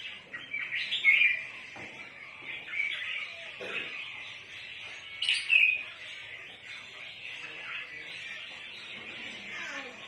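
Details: Red-whiskered bulbul calling, with its sound used for trapping birds: two brief bursts of bright chirping, one near the start and one midway, each a quick cluster of sharp notes over a steady, hissy background.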